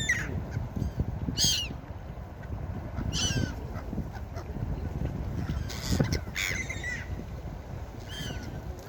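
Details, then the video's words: Gulls calling at the beach: a series of loud, harsh, downslurred cries repeated every second or two over a constant low roar of surf. "Seagull Beach Sound Effect| Seagull sounds"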